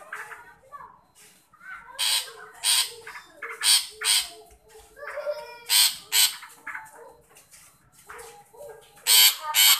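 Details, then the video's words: Long-tailed shrike calling toward a shy shrike: loud grating rasps in irregular bursts, with softer lower murmuring sounds between them. "Burung pentet memanggil untuk pentet yang malu bunyi"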